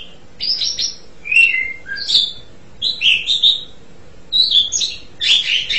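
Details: Jalak suren singing separate short bursts: buzzy chatters, falling whistles and rising slurs, each phrase spaced by a brief silence.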